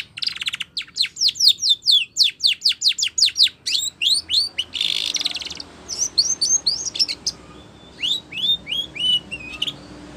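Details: Spanish Timbrado canary used for training sings a long series of sharp repeated chirps at a steady fast pace, a harsh buzzy note midway, then looser rising whistled phrases.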